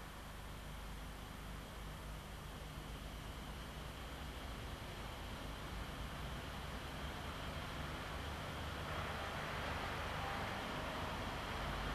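Steady broadband rumble like a passing vehicle or train, with no animal voice standing out.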